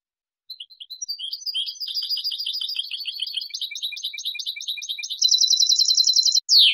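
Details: Spanish European goldfinch singing a clean song used to teach juveniles: an unbroken, jumbled stream of high twittering and tinkling notes building in loudness, then a rapid buzzing trill and a final descending sweep.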